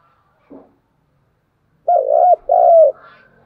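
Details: Spotted dove giving a fighting call: a short soft note, then two loud, low, steady coos of about half a second each, closely paired, in otherwise quiet surroundings.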